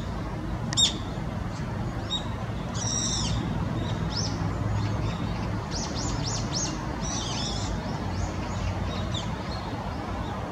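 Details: Naumann's thrush giving thin, high, squeaky call notes in short bursts, scattered irregularly over a steady low rumble of wind or distant traffic.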